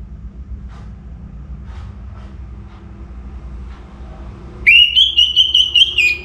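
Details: Orange-headed thrush singing actively before morning, North Bali: after a long stretch of low traffic-like rumble, one loud whistled phrase rises sharply and holds steady, then breaks into a few quick fluttering notes.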